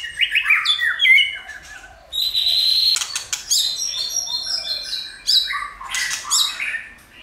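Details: White-rumped shama in full varied song, used to stimulate other shamas in training: dense tumbling whistles, high ringing notes and buzzy rattling phrases, constantly changing.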